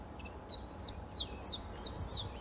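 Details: Common chiffchaff (Phylloscopus collybita), song.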